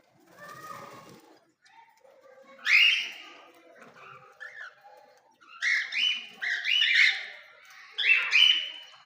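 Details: Baby parrots calling: harsh, raspy squawks in short bursts, a soft murmur at the start, then loud grating calls near three seconds and a cluster of rapid, rasping squawks late in the recording, with quiet gaps between.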